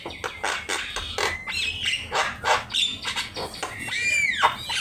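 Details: Javan myna, a master recording used for training songbirds, singing a busy, varied run of harsh squawky notes, clicks and chattering bursts mixed with clear whistled slurs, including a long rising-and-falling whistle near the end.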